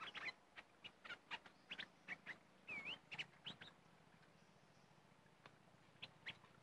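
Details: Red-whiskered bulbul near a decoy in an area where the birds are described as fierce: scattered short chirps and one clear slurred whistle dipping then rising, with quieter spells between notes.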